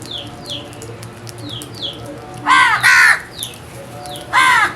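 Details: Small birds repeat thin descending chirps before crows break in with three loud, rasping, nasal caws.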